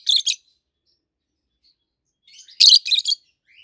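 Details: Two healthy adult peach-faced lovebirds, both green, one red-faced and one yellowish white-faced, chirping; a short harsh doubled chirp, then after a pause a louder burst of three rapid shrill notes with soft twitter before it.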